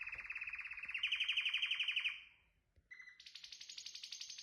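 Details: Canary song with a loud, steady trill of quickly repeated ringing notes, a short break, then a brief lower note and a high, buzzy trill of rapid pulses.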